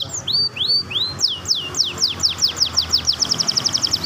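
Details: Canary song offered as a tutor recording for canaries that are reluctant or stalled in singing: a series of high, looping whistled slurs that speed up into a rapid, evenly repeated trill of sweeping notes.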